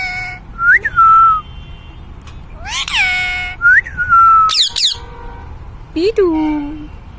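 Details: Pet Indian parrot talking, giving several clear whistled upslurred and downslurred notes with harmonics, a loud harsh burst near the middle, and a falling whistle at the end, with faint human speech nearby.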